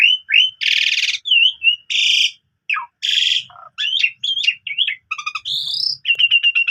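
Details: Morning lure song of an Asian pied starling stuffed with borrowed phrases, aimed at young canaries: whistled notes, broad buzzy blasts, a dropping warble, a short low croak and a final run of rapid chips.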